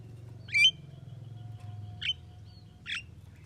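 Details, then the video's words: Talking Javan myna producing three brief calls, a sharp whistled upslur, a short chirp and a scratchy note, each about a second apart, fairly quiet over a low hum. "JALAK KEBO BISA NGOMONG"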